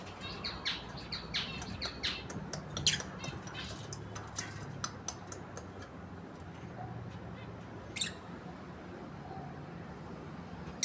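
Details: Breeding pair of caged lovebirds giving sharp, shrill chirps in quick uneven bursts over the first five seconds, then fewer calls with one loud chirp near eight seconds, over a low steady background hum.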